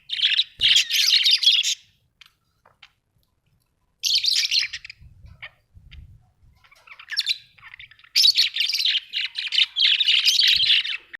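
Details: Australian budgies chirping in loud scratchy bursts of fast warbling chatter, separated by quiet gaps of about two seconds, with faint low thumps and rustling between bursts.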